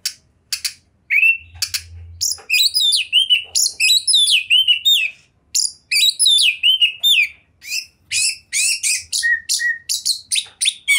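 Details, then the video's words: Champion Oriental magpie-robin (kacer), 2021, in nonstop chatty song. A long dense run of fast varied notes: slurred whistles, clicks and buzzy sweeps, with a few steady whistled tones near the end and brief low rumbles. "OCEHAN KACER TOP, GACOR DORRR ll JUARA FULL MATERI MEWAH 2021"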